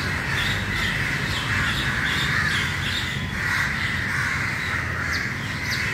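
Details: Early-morning crowd of crows, a noisy mass of overlapping harsh caws and squawks with no gaps, over a low background rumble.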